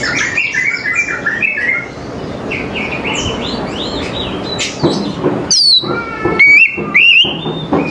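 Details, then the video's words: Oriental magpie-robin in the morning: a mix of soft chirping birds gives way to loud, clean whistled notes, some swooping downward and others rising, delivered in short separate bursts. "TERAPI KACER PAGI HARI 100 PERSEN AMPUH KACER APAPUN AUTO NYAUT DAN IKUT GACOR"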